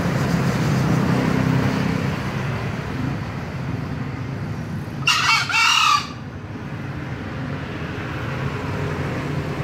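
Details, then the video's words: A single crow from a green junglefowl, a quick two-syllable harsh burst lasting roughly a second, set against continuous deep background rumble. "ayam hutan hijau berkokok"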